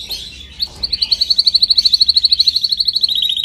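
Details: Canary singing for song training: a rapid, even trill of bright, high repeated notes, about three per second, running steadily after a brief lead-in.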